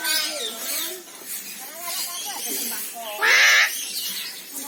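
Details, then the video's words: A loud, harsh squawk from an Eclectus parrot, native to Papua New Guinea, Indonesia and Australia, bursts out late in the clip after softer, wavering, voice-like chatter. "Keindahan Nuri Bayan - The Sound Of Birds Is Soothing"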